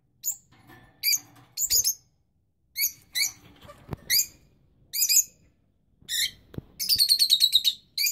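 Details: Rosy-faced lovebirds, young birds with parents that are incubating: shrill, harsh, buzzy chirps in short bursts about every second, then a quick rattling trill of rapid repeated notes near the end, with faint knocks between calls.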